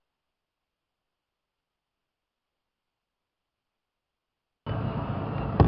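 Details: Near-total silence for most of the stretch, then a sudden burst of low rumbling noise near the end with no animal voice.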